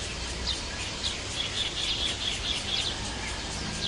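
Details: Wild sunbirds: short, high, thin chirps repeated roughly every half second, slightly irregular, over a steady broadband hiss and low rumble.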